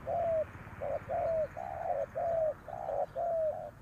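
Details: Spotted dove kept as a decoy bird, calling to lure wild doves: low, hollow coos in pairs, a short note then a longer, slightly falling one, repeated about once a second, with faint background hum.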